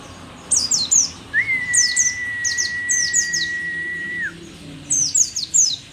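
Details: An old mountain white-eye of Merapi, described as rare and endemic, singing busily: rapid groups of high, downward-slurred chirps, and one sustained, level whistle lasting about three seconds.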